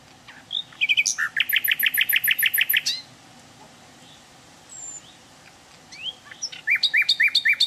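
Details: Wild hill blue flycatcher singing: a quick run of notes, then a rapid even series of sharp, high, ringing repeated notes about two seconds long. After a pause, faint calls, then a second fast ringing series of high notes.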